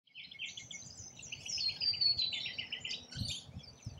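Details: Rainbow lorikeets feeding in Australia: dense, high, screechy chattering from several birds. Harsh notes overlap in quick, irregular bursts, with a brief shrill whistled streak midway and soft low rumbling underneath.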